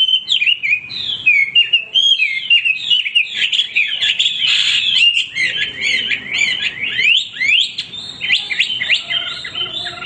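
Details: Male hwamei in continuous full song, a rapid stream of loud slurred whistles and warbles, with a dense burst of mixed notes in the middle.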